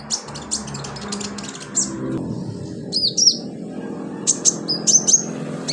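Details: Sunbird filler song for training birds: rapid high ticking notes give way to slurred piercing whistles and sharp chirps, with a murmur of low background noise.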